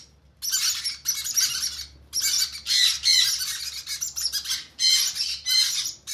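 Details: Begging conure chicks at hand feeding: repeated rasping, buzzy squawk bursts about every second, a quiet start and short pause, over a faint low background hum.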